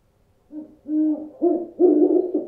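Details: A run of owl hoots that grow louder and longer, from a short soft note to a drawn-out, slightly wavering hoot. The sequence is used to deter birds.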